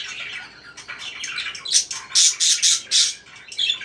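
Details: Parakeets twittering softly, then a run of four loud, harsh squawks in quick succession, followed by quieter chirping and one more sharp squawk at the end.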